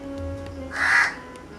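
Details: A crow perched above Indian peafowl chicks gives a single harsh, rasping caw lasting about a third of a second, over a steady low hum of background music.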